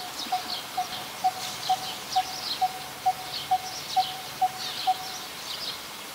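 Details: In Ubon Ratchathani, Thailand, on 2 January 2021, a Coppersmith barbet, a very common resident, gives eleven regular, hollow tuk notes roughly every half second, then stops, amid faint high chirps of other birds.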